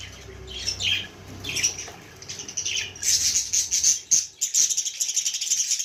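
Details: Baby budgerigar with a few scattered squeaky chirps at first, then a dense, continuous run of buzzy high chatter for the last three seconds.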